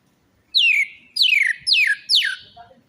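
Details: Orange-headed thrush, used as a lure for a silent or stressed caged bird, sings four loud clear whistled phrases, each sliding steeply downward, spaced about half a second apart in a quiet background.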